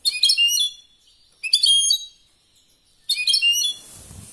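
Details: Three short bursts of bright tinkling twitter from a European goldfinch singing competition song, each about half a second long and spaced roughly 1.5 seconds apart, ending with a faint hiss.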